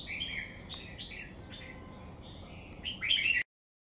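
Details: Wild-caught songbird caged for three months, one white claw, singing its whole repertoire to dominate a strong rival; a string of short rising whistled notes, then a loud rich burst before abrupt silence.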